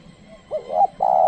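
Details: A spotted dove lure call aimed at wild birds: one short phrase of a quick lead note, a rising coo and the start of a long level final note.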